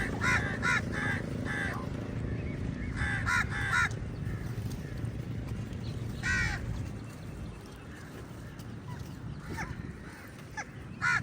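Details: Lots of crows fighting with eagles over a meal give harsh, nasal caws in short bursts of two to four calls, spaced irregularly over a steady low rumble of wind or traffic.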